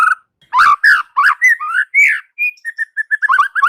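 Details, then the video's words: White-rumped shama in full voice: rich, fluty, warbled phrases flowing one into the next, a single high pure whistle, then a rapid string of short repeated whistles. "SUARA MURAI BATU"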